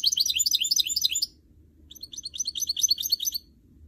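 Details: Goldfinch mule, a canary and goldfinch hybrid kept in a cage, in a session to encourage its singing: two bursts of rapid, high, scratchy twittering with a brief quiet gap between them.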